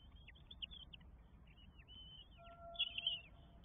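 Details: Four goshawk nestlings begging at feeding time in Estonia, 24 May 2022; high squeaky calls trickle in quick succession, ending in a louder, drawn-out squeal, with a faint steady tone in the background.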